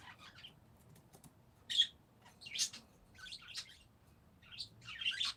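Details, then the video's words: Parakeets indoors giving short, scattered chirps and squeaky calls, bright and high-pitched, in irregular bursts over a quiet background. "Peaceful #parakeets"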